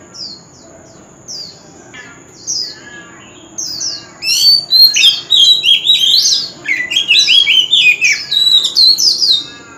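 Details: Male white-rumped shama singing without pause in contest style, with a forest-true voice: soft scattered high notes at first, then a loud run of rapid varied whistles and trills that continues to the end.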